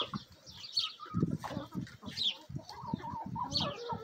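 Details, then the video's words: Hens and a mixed Bielefelder and Golden Cuckoo Marans rooster crowd around food in a backyard. Rapid pecking thumps and wing scuffles underlie short clucks and occasional high chirps. "ASMR Bielefeld Marans Rooster & Hens Feeding Frenzy!"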